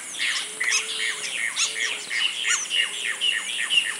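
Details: Red-crested cardinal feeding on mulberry and privet fruit, sunflower seeds and maize at Esperanza, Santa Fe, Argentina, 2022; sharp, downslurred chirps repeated roughly every half second over a steady low hum and high hiss.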